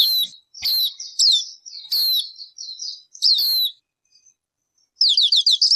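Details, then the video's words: Songbird delivering high slurred whistles and short buzzy notes in broken phrases, then a brief silence, ending with a quick rhythmic run of falling notes. "Suab noog ncwb qua dib tuaj zoo tiag tiag."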